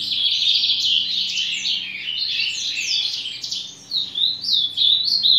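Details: Song of an ultramarine grosbeak: a dense, continuous rapid warble of sweet chirps, dipping briefly before ending in louder swooping notes, over a faint low hum.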